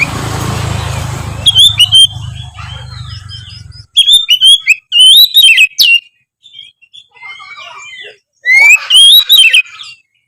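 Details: Oriental magpie-robin singing in a continuous, chatty way to coax quiet magpie-robins into song. Low rumbling noise at first, then loud bursts of whistled, slurred notes and rapid trills, separated by brief pauses.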